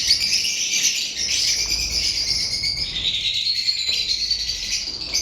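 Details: Lovebirds kept as pets chattering without a break: a shrill, busy stream of high twittering and squeaky chirps, slightly wavering in pitch.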